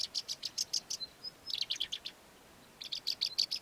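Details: A Melodious lark, a southern African lark, sings in fast bursts of high, dry chirps and short whistles, with brief pauses between phrases, weaving in imitations of other local bird species.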